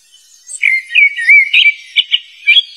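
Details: Wild black flycatcher using its loud voice to attract opponents: clear, loud whistled notes, some sliding and warbling, then a series of short sharp whistles in quick bursts against a silent background.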